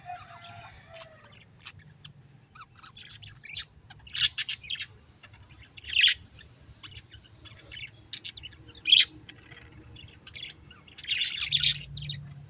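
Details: Tame pet parrot letting out a series of short, harsh squawks spaced a few seconds apart, the last ones louder and longer, over faint chirping.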